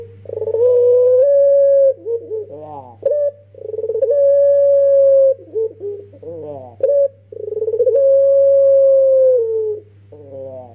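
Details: A young Barbary dove, prized for its long pelung coo and used to lure other doves, sings three repeated phrases about every four seconds. Each phrase is a rising pulsed roll that settles into a long sustained note, with brief wobbling coos between phrases and a low hum behind.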